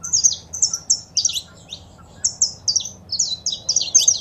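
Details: Saffron finch, female calls and male song for stimulating a caged bird; high, sharp chirps repeated in rhythmic groups, a short pause midway, then renewed quick series of bright notes.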